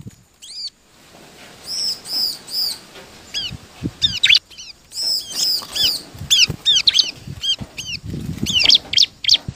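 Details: Bar-winged prinia song used as a lure for other birds: bright arched whistles and sharp high chirps delivered in bursts and runs, over a steady background hiss with faint low knocks.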